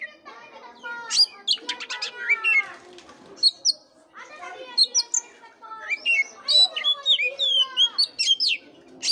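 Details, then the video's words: Oriental magpie-robin song used as bait to rouse a listless magpie-robin to sing: rapid bursts of varied whistles, sharp chirps and rising and falling notes, with a few harsher harmonic notes mixed in. "pancingan kacer jitu dan ampuh buat kacer loyo kurang ber gairah"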